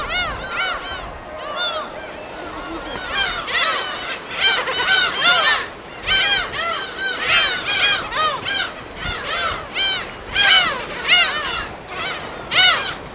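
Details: Dense chorus of gulls at a nesting colony on an uninhabited West Sea island, field-recorded: many overlapping arched, yelping cries rising and falling in bursts, forming a continuous clamour with faint surf underneath.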